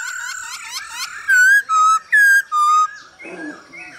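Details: A Hwamei male sings against female stimulation calls, used to train birds: a fast mixed warble, then four long, pure, level whistles alternating higher and lower, followed by softer chatter.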